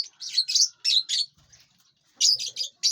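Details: Colorful lovebirds at their meal in a spacious aviary; loud, close, high chirps in two quick groups of four or five notes, separated by a short quiet gap.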